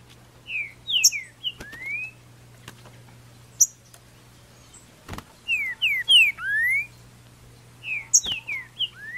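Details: Green-winged saltator, a kept bird named Bolsonaro, singing after its moult, taken in May 2019 into woodland full of wild saltators: three bursts of rich, slurred whistled phrases, each about two seconds, over a steady low hum and a few sharp clicks.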